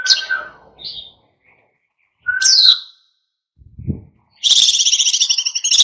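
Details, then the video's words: Oriental white-eye in vigorous wild-style song, used to provoke other birds into singing: scattered high twittering notes, a lower steady whistle, a soft low thump, then a dense buzzy rattling trill at the end. "SUARA PLECI GACOR NGALAS PANCING EMOSI BURUNG LAIN IKUT GACOR"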